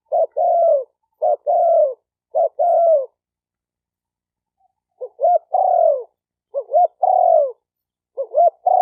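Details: Cooing of a spotted dove, in a style for stimulating decoys, males and females: three long descending coos, each led by a brief note, then after a pause a series of paired short rising coos and drawn-out falling coos, against silence.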